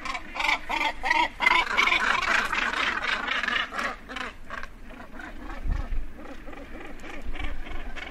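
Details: Northern gannet calling close up at the edge of a colony while birds land and take off: rapid, rough rasping notes in quick series, loudest early on, then softer repeated rasps with a few low thuds.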